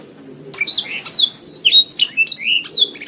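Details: Canary song made as a training recording for songbirds: after half a second of quiet, a rapid run of loud, high, sweeping whistled notes, rising and falling, with brief trills, continuing to the end.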